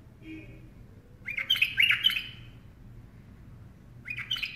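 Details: Bulbul perched on a hand sings a rich, rapid phrase of liquid chirping notes after a faint soft note, then starts another phrase near the end. Quiet background hum.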